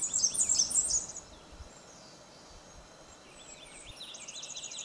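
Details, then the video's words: Blackburnian warbler: a burst of very high, thin, rapid notes in the first second, then quieter high buzzy notes repeated near the end, over faint background hiss. "Paruline à gorge orangée/Blackburnian Warbler"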